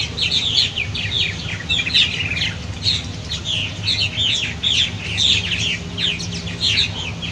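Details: At fledging time, several purple martins at nest gourds, including adults arriving to call the young out, chatter in quick, overlapping, gurgling chirps over a low steady rumble.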